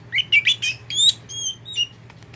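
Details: Oriental magpie-robin (kacer poci), a tame kept bird, gives a short run of varied chirps and pure whistled notes, some held briefly, fading out toward the end.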